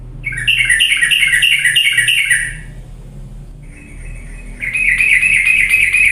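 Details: Sooty-headed bulbul used to coax reluctant birds into energetic singing. A fast, ringing trill with stepped pulses runs two seconds, a faint thin note follows, then a strong buzzy trill returns.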